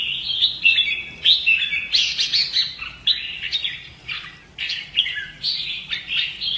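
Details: Lively red-whiskered bulbul song from fighting-song training: quick whistled phrases, about one a second, mixed with a brief harsh, scratchy burst, energetic and varied.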